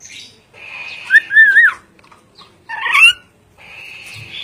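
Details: Ornate lorikeet, called a clever bird, giving short wavering whistled notes that rise and fall, then a harsher rising squeal, with a steady high hum running beneath and quiet gaps between calls.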